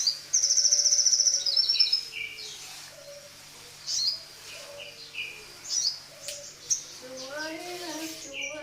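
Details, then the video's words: Morning song of a crested jay: a fast, bright high trill opening the phrase, followed by spaced whistled and slurred notes, some falling, with a soft low whistle running beneath. "SUARA SOGON DI PAGI HARI"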